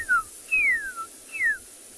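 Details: Pearl-spotted Owlet calling from a nearby tree during a November morning safari in South Africa, giving three loud, clear whistles, each sliding steeply downward, about every three-quarters of a second over faint hiss.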